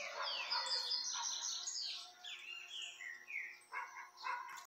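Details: A Peruvian canary sings a continuous, fairly quiet warble of high, quick trills and downslurred whistles, with a low steady hum behind it.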